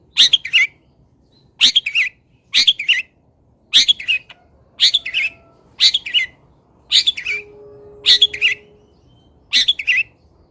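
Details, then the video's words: Long-tailed shrike, local Indonesian bird, delivering fill-song training material: a regular series of paired harsh chirps, one doublet roughly every second, sharp and high, against a quiet background. "ISIAN WAJIB BURUNG CENDET - 99,01% PATI ADA ISIAN MODEL INI | MASTERAN CENDET LOKALAN"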